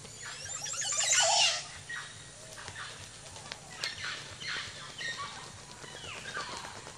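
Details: A male Ocellated Turkey strutting in courtship display to attract a mate at Chan Chich Lodge, Belize, gives one loud, high, rattling burst, then softer scattered calls; a viewer suggests some background calls are an oropendola.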